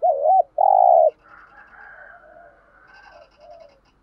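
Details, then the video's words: Spotted dove kept as a decoy, calling to lure wild birds: a wavering low coo, then a long, steady, hollow coo, followed by quieter soft murmuring notes. "chim cu gáy mồi chai thúc gù bài bản giọng hay"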